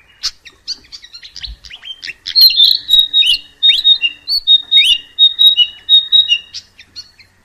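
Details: Mugimaki flycatcher (Ficedula mugimaki) singing in the wild: a rapid, high twittering of thin chips, then short sweet whistled phrases repeated about once a second.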